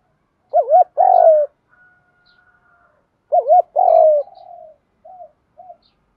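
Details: Spotted doves, cock and hen, calling to stir training birds into cooing: a quick wavering double note followed by a long falling coo, the phrase repeated twice, with soft short coos trailing off.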